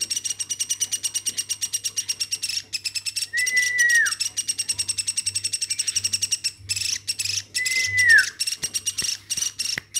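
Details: Hand-reared pet woodpecker calling on and on: steady rapid chatter of harsh pulsed notes, broken by two drawn-out whistles that drop in pitch at their close, then a few scattered clicks.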